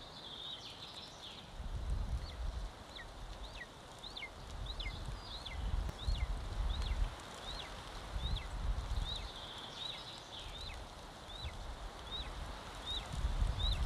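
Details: A one-month-old Golden Eagle chick eating lunch at an Estonian nest on 25 May 2022, heard via live camera: a long run of high, sharply falling squeals, about three each second, over low rumbling and scraping.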